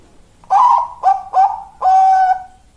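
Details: Zebra dove of the 'malaikat maut' voice type, called suitable as breeding stock: a bright opening coo, two short clipped notes, then one long sustained mellow final note, clear against near silence.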